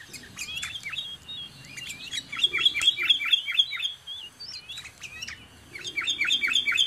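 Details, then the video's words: Sooty-headed bulbul, known as kutilang or cangkurileung, recorded near a dwelling in Indonesia: quick series of clear whistled notes repeated rapidly, bursts separated by short gaps, a low murmur of background noise beneath. "MASTERAN SUARA BURUNG KUTILANG, CANGKURILEUNG | SOOTY HEADED BULBUL SOUNDS"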